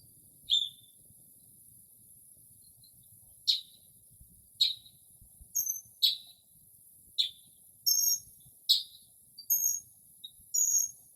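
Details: Mimicking Northern mockingbird singing at night in early spring near a porch: sharp, short high chips and clipped notes spaced irregularly, some very high squeaks, over a low steady background hiss.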